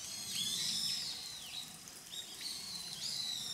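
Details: Grey wagtail filmed between July and December 2023: high, thin whistled notes sliding downward, a few overlapping calls spread across a few seconds over a soft steady background hiss.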